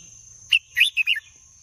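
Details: Red-whiskered bulbul, a caged songbird, giving a short burst of three or four bright, warbled notes around the middle of the clip, with a steady high electrical whine throughout.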